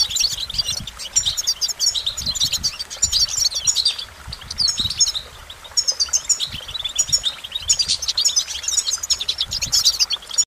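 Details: A goldfinch delivers a long, lively stream of high, sparkling twitters, buzzy trills and fast liquid notes in near-continuous phrases with brief pauses.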